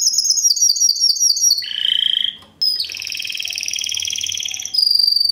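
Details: Fast, metallic, strong Timbrado Español canary of 2013 in classico style: a high quick trill, a lower buzzy tour, a short break, then a dense rolling trill ending on a thin high whistle.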